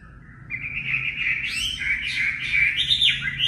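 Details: Training song of a Chinese hwamei of the 'mộc' kind: a long, loud, continuous warble of slurred whistles with swooping high upward sweeps and a falling end note.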